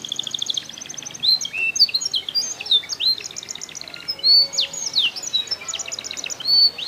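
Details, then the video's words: Canary, Comal in Pemalang, Central Java, Indonesia, delivering a varied high song: fast buzzy trill at the start, then clear whistled slurs, short rattles and repeated sharp notes in irregular phrases. "Bukan Sembarang Kenari"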